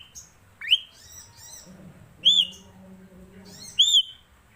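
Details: Black-collared starling, called jalak suren, delivering three bright whistled notes that rise and bend over, roughly one every one and a half seconds, with a low hum between.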